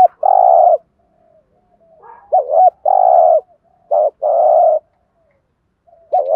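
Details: Spotted dove 'gù thúc' lure call for training decoy birds: long buzzy mid-pitched coos alternate with short hooked notes in three phrases, with quiet gaps between them.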